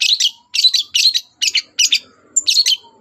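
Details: Long-tailed shrike's morning song, used to stir other birds into answering, delivered as a rapid chatter of grating, high-pitched double and triple notes in quick bursts.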